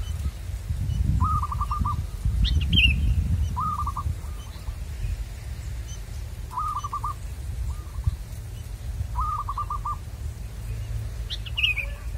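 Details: Local wild zebra dove targeted by trappers, singing four short rolling coo phrases at a steady pace, each trailed by a softer echoing series; a sharp higher bird chirp cuts in twice over low rumble.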